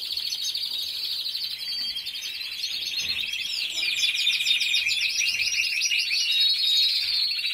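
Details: A Timbrado canary, recently set apart from the others, sings a long, unbroken run of fast rolling trills and bubbling phrases, steady and fairly high, over faint room noise.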